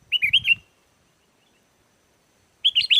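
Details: Sooty-headed bulbul song played to make wild bulbuls respond: a quick phrase of three bubbly, swooping notes, a pause, then another lively phrase; soft low thumping under the first phrase.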